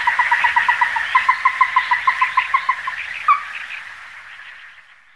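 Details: Ruddy-breasted crake giving a string of clipped, hollow notes that start quick and even, then loosen and fade, with one louder, slightly higher note near the end before the series dies away.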